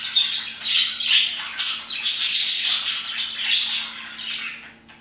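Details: Parakeets singing around 2pm, a dense run of harsh chirps and squeaky warbling that swells mid-clip, then fades to quieter calls at the end.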